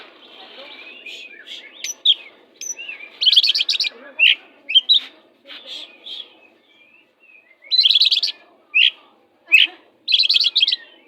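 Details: Caged oriental magpie-robin (kacer) singing a fierce 'jahat' song used as a tutor to make other magpie-robins sing more insistently: loud bursts of buzzy, chattering notes alternate with sharp whistled upslurs and clicks, in phrases every second or two.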